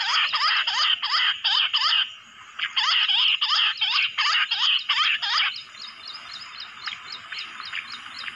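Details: Bush quail lured in the jungle with mobile phone playback give loud bursts of quick, squeaky up-and-down notes, roughly three a second, with a short break, then a softer run of faint high ticks.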